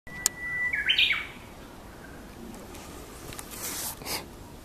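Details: Japanese bush warbler singing in Aoba-no-Mori Park on May 30: one long, steady whistled note, then a quick, rising-and-falling burst of higher notes ending the phrase. Faint background hiss and soft distant sounds follow.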